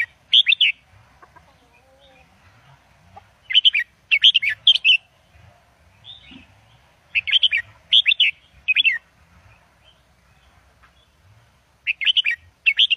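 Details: Caged red-whiskered bulbul delivering professional Indo double style song for tutoring young birds: short clustered phrases of four to five loud, liquid whistled notes, repeated roughly every three to four seconds with quiet pauses between.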